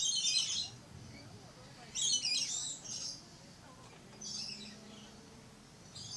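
Red-collared lorikeet giving harsh, grating screeches in short bursts about every two seconds, with a faint low hum underneath.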